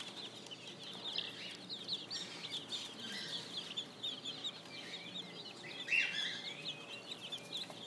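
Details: Young spring chicks kept on an urban farm, constant high, thin peeping from many birds at once, with occasional sharper louder chirps and soft background hum.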